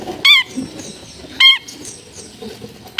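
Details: Long-tailed shrike at a home in a densely populated area: loud, nasal, wavering squawks repeated a little over once a second, three in all, with faint background noise.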